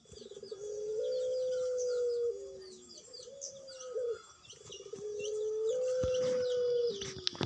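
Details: Caged puter pelung dove, a local dove kept for its call. Three long, drawn-out, low, steady coos, each bending slightly down at the end and lasting one to two seconds. Faint high chirps of small birds sound behind.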